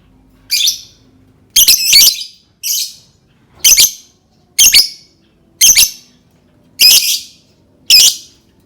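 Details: Lovebird sound meant to prompt other lovebirds to sing: sharp, high chirps repeated roughly once a second, each a short burst, eight in all with quiet gaps between.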